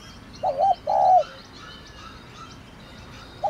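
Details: Thổ đồng calling coo of a spotted dove, played to rouse a decoy male: a brief hooked note then a longer full coo, a long quiet gap, and the start of another phrase.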